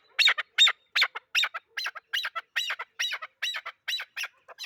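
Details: Loud, harsh chukar partridge phrases pairing a high note with a lower one, delivered in a regular rhythm over nearly five seconds with nothing else audible.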